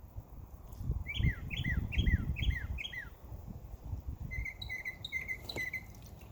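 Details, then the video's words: Backyard bird chirping on a summer day: a quick burst of five slurred chirps, then a run of shorter, flatter, evenly spaced chirps, over low rumbling background noise. "Birds Chirping Sound"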